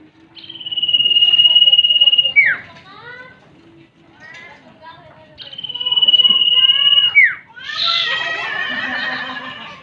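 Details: Common iora lure recording that combines female and male calls: long steady high whistles, each about two seconds, ending in a quick falling note and a series of short descending chirps, heard twice with some background noise.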